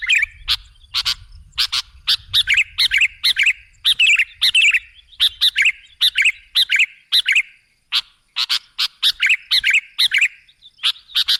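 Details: Sooty-headed bulbul lure sound: a long, busy run of crisp, high chirps and twisting warbled notes, several per second, with one brief pause near the middle and faint low rumble early on.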